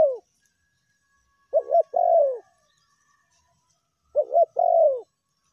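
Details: Spotted dove, known locally as tekukur, giving meratus and melambung lure calls: the end of one coo, then two phrases about two and a half seconds apart, each two brief coos and a long falling coo.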